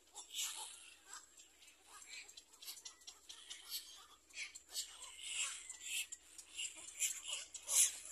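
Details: Little black cormorant with its young before feeding: irregular, wheezy, hissing high calls in quick clusters, rising to a sharp loud squeak at the close.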